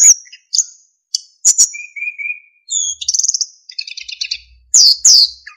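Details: Kept narcissus flycatcher in active master song with fills and clear whistling: high sweeping whistles, short sharp chips, three lower wavering whistled notes, then rapid buzzy trills and two loud downslurred whistles near the end.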